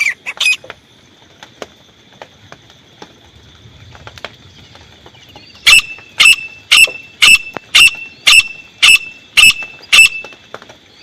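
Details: Grey francolin used as a hunting decoy, quiet apart from a thin steady whine for five seconds, then nine sharp, harsh call notes spaced evenly about half a second apart.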